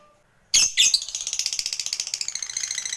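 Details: Lovebird used as a lure to provoke a fighter bird: after half a second of quiet, harsh high squawks open into a long, fast rattling chatter of rapid repeated notes.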